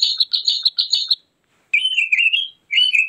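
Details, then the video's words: Javan grey-throated white-eye song for luring or training: a rapid run of sharp, evenly repeated chips, a pause, then wavering warbled phrases. "Suara pikat+master burung opior Jawa dijamin ampuh"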